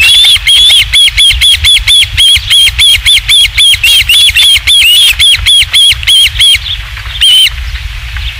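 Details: Osprey at the Dunrovin Ranch nest on 27 July 2016, when a third fish arrived: a rapid, insistent series of loud, sharp whistled notes, several per second, stopping briefly before one last call, over low wind rumble.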